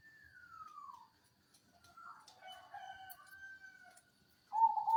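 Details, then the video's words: Javan local Black-naped Oriole singing, used as a lure to get silent cage birds singing: clear whistled phrases, a long descending slur, then lower fluty warbles, ending with a loud burst near the close. "Kepodang Lokal Jawa Gacor Suara Jernih Syahdu, Pancingan Burung Macet"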